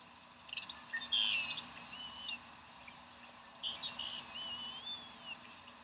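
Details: Wild bald eagles at their nest in Decorah on 27 April 2012, with a freshly caught, still-flopping fish. High, thin whistled calls rise and fall in two bursts, the first louder and chattering, the second a longer wavering whistle, over a steady background hum.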